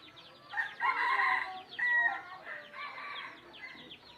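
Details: Wild red junglefowl crowing in rounds of harsh, harmonic-rich bursts, each pulse breaking off abruptly, over a busy background of many small birds giving quick descending chirps.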